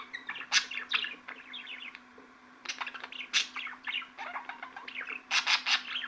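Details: Budgerigar twittering in irregular bursts: clusters of quick downward-sliding chirps and sharp clicks, a short quieter pause, then a dense run of loud rapid chirps toward the end, with a faint steady hum.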